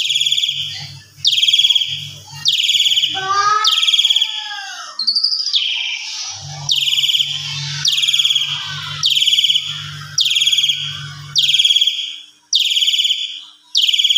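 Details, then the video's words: Asian pied starling provocation song, used to stir other starlings: harsh buzzy downslurred notes repeated about once a second, interrupted midway by a series of falling whistled slurs, over an intermittent low hum. "Suara Jalak Suren Pancingan EMOSI Full Mompa Vareasi Agar Burung Jalak Lain Ikut Emosi Full Isian"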